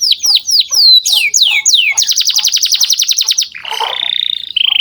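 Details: Loud canary song meant to stimulate juvenile canaries: several falling whistled swoops, then a fast machine-gun trill, and finally a lower, buzzing rolled phrase.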